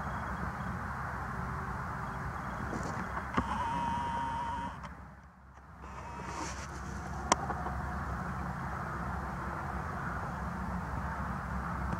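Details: Steady low vehicle rumble with a brief faint whine midway and a single sharp click, with no animal calls heard.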